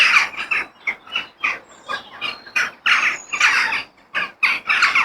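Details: Crows calling outdoors in nature: choppy, harsh caws repeated in quick pulses about every half second, several birds overlapping in a noisy chorus.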